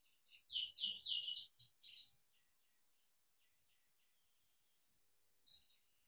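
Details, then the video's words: Quiet, somewhat distant canary song of the 'gacor' chirping-and-rolling kind, a prompt for other canaries: a burst of dense descending chirps for two seconds, then soft trailing notes and a short final chirp. "Kenari gacor cuit cuit ngerol untuk pancingan kenari biar gacor"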